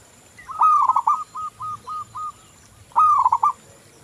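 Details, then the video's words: Local zebra dove, played as a lure to get other doves singing: a rapid rolling coo burst, then five short, evenly spaced mid-pitched coos, then another rolling burst. A faint, steady high whine runs throughout. "Perkutut lokal Gacor"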